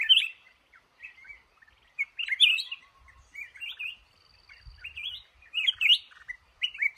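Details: Male red-whiskered bulbul in a trap, called the cashew garden's boss, sings a run of cheerful whistled warbles, loud bursts separated by short quiet gaps, with occasional low thuds.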